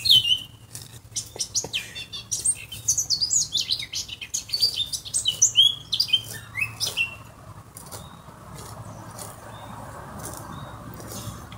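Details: Eurasian blackcap song and calls: a rapid warbling burst of high whistled and chirping notes during the first half, fading into quiet background hiss afterwards.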